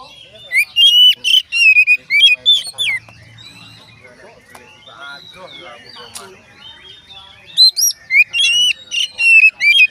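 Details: Oriental magpie-robin singing, a recording claimed to prompt other magpie-robins to answer: rapid clear whistles and upward-flicking notes in a run, then a softer stretch of scratchy warbling before loud bright phrases return.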